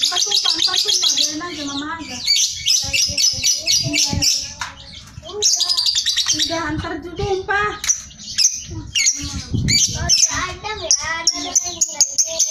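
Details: A sooty-headed bulbul pours out a long, fast, high chattering song of squeaky and buzzy notes with few pauses, used as a master track to stimulate bulbuls to sing; a man's voice is heard briefly.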